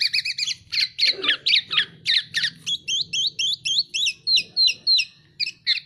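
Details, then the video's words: A tame, vocal Black-naped oriole gives a rapid run of short, slurred, slightly harsh whistled notes, about three or four a second, with a faint low hum underneath. "KEPODANG EMAS JINAK GACOR"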